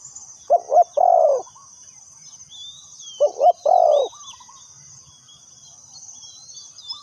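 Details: Lure spotted dove used for bird trapping, two separated coo phrases of two short notes and one longer mellow note, then quiet, with thin whistles of other birds and a continuous high insect buzz.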